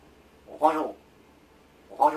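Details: Indoor rescued large-billed crow doing vocal practice as its keeper feigns sleep; one drawn-out raspy caw followed after a long pause by the start of a second.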